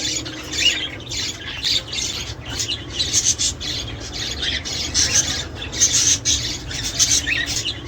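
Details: Budgerigars in lively chatter to stimulate pairing, breeding and laying: unbroken harsh, buzzy warbling and squawks from several birds, loud bursts recurring every fraction of a second.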